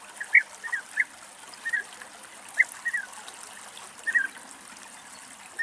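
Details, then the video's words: European bee-eaters calling in Greece: a rapid series of short, purring, rolling notes, often doubled, repeated several times per second at a fairly steady pitch against a soft background hiss. "Μελισσοφάγος - Τα Χρώματα και οι Φωνές του Μελισσοφάγου"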